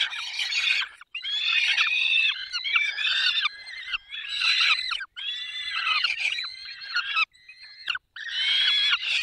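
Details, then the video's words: Peregrine falcon feeding, 20 May 2021, 10:22, Barycz Valley: grating, insistent squealing calls in dense bursts of one to two seconds, broken by short silences, with some thinner whistled notes between. "Karmienie 10:22 Dolina Baryczy 20 05 2021 sokół wędrowny"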